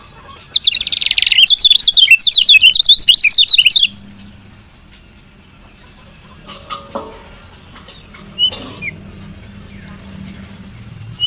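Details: A female lemon-bellied white-eye chirps to spur lazy males into song. A loud, fast series of high, piercing chirps lasts about three seconds, followed by near silence with a few faint distant notes.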